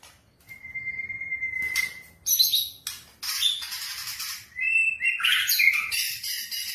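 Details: White-rumped shama song played as a lure to trigger singing: one long steady whistle, then harsh, noisy bursts and, at the end, a few quick, bright whistled phrases.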